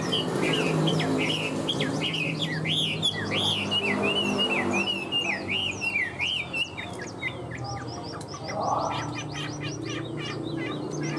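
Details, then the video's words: Tame Chinese hwamei in captivity delivering strong song: rolling, wavering whistled phrases in a continuous stream, turning into rapid repeated high notes toward the end, with a steady low hum behind. "Chim họa mi thuần hót tốt"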